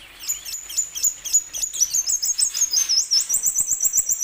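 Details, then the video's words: Plain sunbird song used as a lure for other sunbirds: a continuous stream of very high, thin, stuttering notes that rise gradually and settle into an even, rapid trill of sharp repeated chirps. "Kicau burung kolibri wulung"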